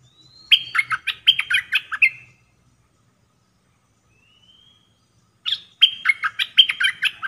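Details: Red-whiskered bulbul decoy bird in a cage, dok taeng song type for trapping. Two lively phrases of rapid, rolling, whistled notes are separated by a quiet gap with a soft rising whistle.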